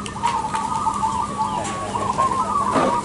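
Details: Crossbred zebra doves singing at a contest: a dense chorus of overlapping, rolling coos at mid pitch, with several birds calling at once and a steady low hum beneath.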